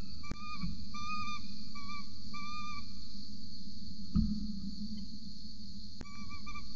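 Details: Peregrine falcon adult feeding a chick at the nest in Orange, Australia, 26 November 2020, 8:07 am, nest camera: repeated short whistled call notes for about three seconds, a couple of knocks, and a few more notes at the end.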